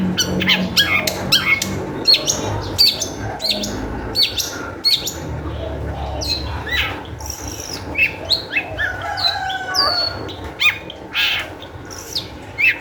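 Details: Long-tailed shrike singing energetically as a lure to prompt other shrikes to sing: a dense, restless stream of scratchy chirps, high whistles and squeaky notes, varied and nearly unbroken, over a low rumbling background.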